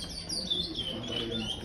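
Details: Five-month-old young chestnut-bellied seed finch, brown-plumaged, singing in the praia song style; soft, continuous warbled whistles gliding up and down over a steady low background hum.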